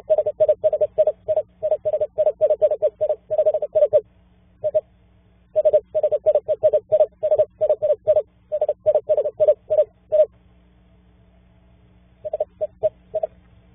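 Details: Female screech owl in an owl box gives long runs of quick, even, mid-pitched hooting pulses that break off and resume over a steady low electrical hum; her mate answers from outside, and she seems to be getting ready to nest.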